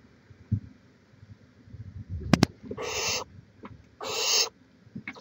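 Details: Barn owl on a live nest cam in Chula Vista, California, 18 May 2017, giving two long, harsh, hissing screeches about a second apart, with a sharp click and soft thumps and rustling around them.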